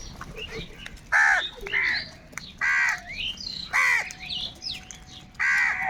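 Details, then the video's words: A huge flock of crows fighting for food; loud, harsh, arched caws burst out singly at irregular intervals, with quieter caws and chatter from other crows in between. "Kaka sound and noises of Crow birds | Huge numbers of crows crowing and crying sounds"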